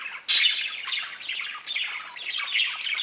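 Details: Several pet budgies: one loud, sharp squawk opens, followed by softer continuous buzzy chattering and chirps from the group.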